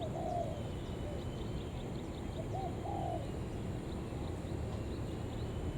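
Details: Lure spotted dove calling to draw in other doves: a few soft, hollow coos in two brief bursts, against constant low rumble and faint high ticking.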